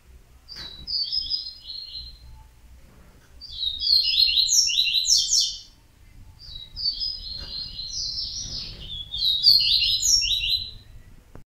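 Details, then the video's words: Yellow-bellied Seedeater delivering repeated bursts of high, buzzy, warbled song: a short opening phrase, then three longer phrases of chattering trills separated by pauses of one to two seconds, with faint low noise underneath. "COLEIRO BAIANO"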